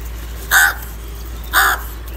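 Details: Two rough, short caws exactly a second apart from a crow, live, amid scenes of crows fighting, angry and calling for food; faint steady hum behind.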